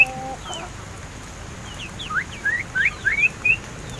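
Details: Crested mynas raised in captivity for over seven months, now talking: after a quiet stretch, a clear run of five or six rising whistled notes in fast succession near the end.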